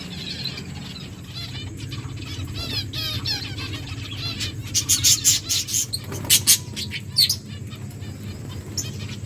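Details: Lovebirds eating food on 31 July 2024 give quick, high, scratchy chirps and twitters in busy runs, with louder clicks and rustling toward the end like beaks working on food.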